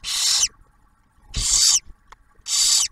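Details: Barn owls at their nest near Oak Harbor, Ohio, as the male delivers a meal for the female and newly hatched owlet. Three long, breathy rasping hisses, each nearly half a second, separated by short pauses.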